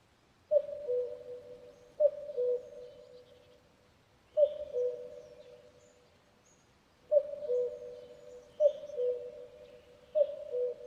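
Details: Common cuckoo calling: a low two-note falling "cu-coo" repeated six times at uneven gaps of roughly one and a half to three seconds, each pair trailing off in a lingering echo, with faint higher chirps from other birds behind.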